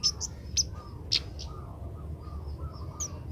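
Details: Young Oriental magpie-robin, a kept bird being trained to sing sooner, learning its song: a few sharp, high chirps and short downslurred whistles spaced irregularly, over a steady low hum and faint background murmur.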